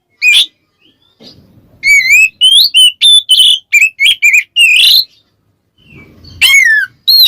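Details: Oriental magpie-robin calling a rival in ngeplong style to agitate other birds: a single high note, then a quick series of loud curling whistles and buzzy phrases, a pause with low rustling, then more swooping whistles.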